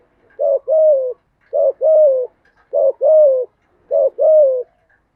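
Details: Spotted dove song used as a lure to train newly caught doves to sing: low cooing phrases of a short note then a longer falling coo, repeated about once a second, in quiet surroundings.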